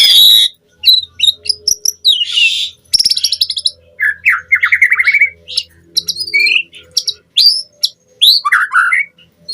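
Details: Lure recording of white-rumped shama song for training caged birds into constant singing: varied high chirps, a rattling series, looping whistled notes and sharp buzzy trills in quick succession over a low steady hum.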